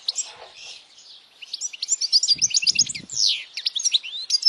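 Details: European goldfinch song recorded for young goldfinches to memorize: soft twitters at first, then a lively run of rapid chirps, trills and a downslurred buzzy note, with faint low rustling.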